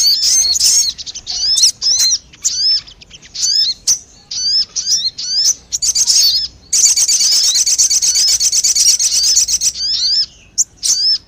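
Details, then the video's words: Crested jay calls played as a lure to draw birds in: loud, sharp hooked whistled notes repeated in quick bursts, with a long harsh rattling stretch near the end before the whistles return. "SUARA PIKAT BURUNG SOGON"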